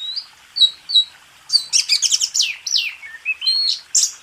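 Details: Oriental magpie-robin master song for contest training: a few soft high whistles, then a burst of rapid buzzy trilled notes and varied rising and falling slurs.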